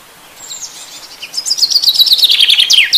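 Chaffinch song: a bright, rapid run of high notes that quickens and tumbles downward, ending in a short flourish.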